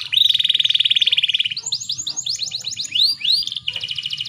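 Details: Lure call of a female canary meant to spur males to sing: a steady fast pulsed high trill, then a run of arched sweeping notes, ending in another rapid even trill.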